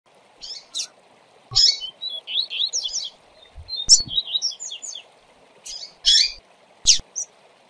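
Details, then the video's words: Double-collared seedeater tutor song, played to teach and fire up other seedeaters: quick bursts of high, buzzy chirps and twittering notes in short phrases, some sharp clicks and a faint low hum underneath. "Esquente a FIBRA do seu Coleiro em 20 Minutos - Coleiro Professor Aprendizado"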